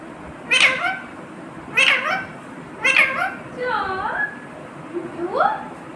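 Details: Parrot indoors mimicking "mummy": three loud, sharp, harmonic syllables a second apart, then softer wavering and rising voice-like notes. Faint room hiss continues underneath.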